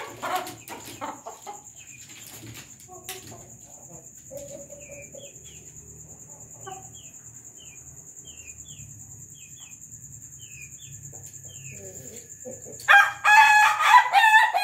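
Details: An Ayam Ketawa rooster at night, kept with a Bangkok hen, bursts into a loud, harsh, stuttering crow after quiet night clucks, over a steady insect whine.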